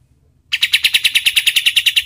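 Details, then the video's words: White-shouldered triller used as a training song for other birds, bursting into a loud, rapid chatter of harsh, buzzy notes, about seven per second, evenly paced. "SUARA KAPAS TEMBAK untuk MASTERAN BURUNG LOMBA"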